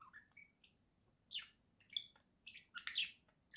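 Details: Caged pet budgerigar pair singing at home, short rising whistles followed by scratchy chattering bursts and sharp clicks, notes tumbling quickly one after another.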